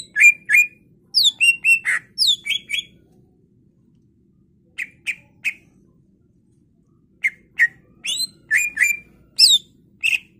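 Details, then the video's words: Greater green leafbird singing in energetic bursts, played to spur other birds into song. Loud sharp chirps and down-slurred whistles come in rapid clusters, with a quiet gap in the middle and faint low hum behind. "PANCINGAN CUCAK IJO Macet Bunyi / Masteran Cucak Ijo full isian"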